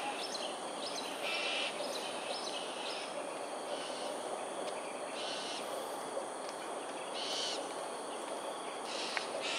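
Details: Flock of cockatoos in aerial display at Sungei Ulu Pandan, Singapore, early morning 13 January 2022: a rapid cluster of harsh squawks at the start, then scattered rasping screeches every one to two seconds, with steady hiss behind.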